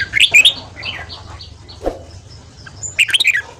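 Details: Red-whiskered bulbul singing a fast morning song used for voice training and to stimulate newly caught birds: bright, slurred whistled phrases, a burst at the start, thin high notes in between, then another quick warbled burst.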